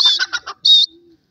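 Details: Young partridge and pheasant chicks roaming freely outdoors: a quick run of four harsh, high chirps, then one longer buzzy high note trailing into a faint low tone.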